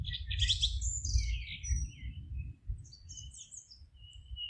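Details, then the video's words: Forest birdsong with a dense burst of high twittering at the start, then scattered thin whistles and short chirps from several birds, all over a constant deep background rumble. "Forest relaxing sounds of singing birds"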